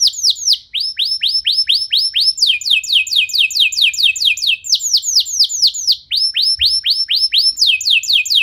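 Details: Canary song as a trigger for other canaries: continuous series of quick repeated sweeping whistled notes in changing phrases, each phrase several notes at a steady fast rate.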